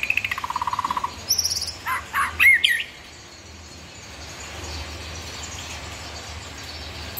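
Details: Murai batu, the white-rumped shama, in a master song with 'tembakan' fills; a fast buzzy trill, a higher rattling burst, several harsh varied notes and a whistle, then only hiss.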